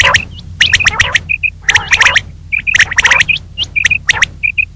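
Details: Common quail (Coturnix coturnix) female calling, used as a hunting call: clusters of harsh, raspy bursts about once a second, broken by short, clear, high chirps, often in pairs, over a faint low hum.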